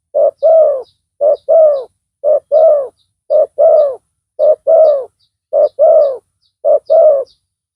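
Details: Spotted dove with a big voice, wild bird lured by a decoy; loud, low cooing in paired notes, a short coo then a longer falling coo, each pair repeated roughly once a second, seven phrases, nothing else heard.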